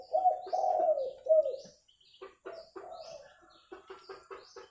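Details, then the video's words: Spotted dove for luring birds: husky low cooing phrases, then a break and a softer series of short coos, with high chirping of other birds throughout the background. "SUARA TEKUKUR JERNIH COCOK UNTUK PIKAT"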